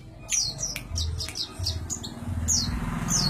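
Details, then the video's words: Bird known locally as sogok ontong, singing in a rapid chattering style, with repeated high, downward-slurred notes in quick bursts over a steady low hum. "burung sogok ontong ngerecel"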